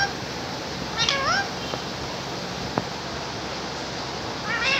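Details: Pet parrot said to be talking, repeating words like "katore katore mithu": two short wavering, harmonic squawky phrases near the start and end, a sharp click in between, over steady hissing background noise.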